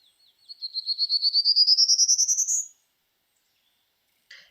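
Prairie Warbler: a fast, unbroken run of buzzy zee notes, about fifteen in two seconds, climbing steadily higher in pitch; a brief faint sound follows after a pause.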